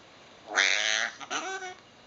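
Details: Pet eclectus parrot talking at home: a short nasal, harmonic vocal burst lasting about half a second, then a softer second utterance, while a person speaks to it nearby.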